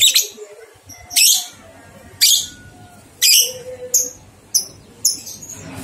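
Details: Training recording of lovebird ngekek for stimulating two-month-old juveniles to sing: sharp, shrill, rasping bursts repeated roughly once a second, some with brief higher chips in between, over a quiet background.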